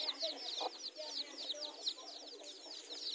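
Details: Newly hatched chicks playing with their mother hens in a garden give a steady stream of shrill, high peeps, several every half second, over a few low, soft hen clucks.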